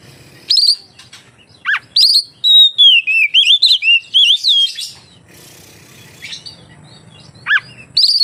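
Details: Oriental magpie-robin in full song, used to lure other magpie-robins into singing; bright, varied whistled notes and sharp slurred chirps in quick succession, with a soft background hum.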